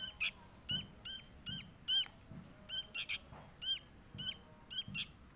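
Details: A sooty-headed bulbul chick begging to be fed gives sharp, nasal, harmonic chips, single or doubled, repeated roughly every half second, with faint low background rumble.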